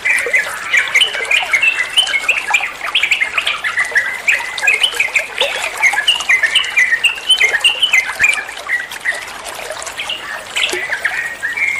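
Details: Long, animated olive-winged bulbul song intended to coax other birds into replying: many quick whistled notes and chirpy slurs, repeated in dense, irregular runs, with a faint scratchy background.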